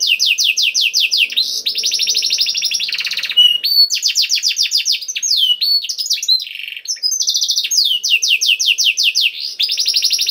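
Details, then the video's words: Canary song in a varied bird-keeping recording meant to prompt other canaries to sing: rapid trills of descending notes repeated many times a second, alternating with buzzy stretches and sweeping whistles, continuous and loud throughout. "KENARI GACOR CENGKOK ISTIMEWA #235 || VOICE OF CANARY"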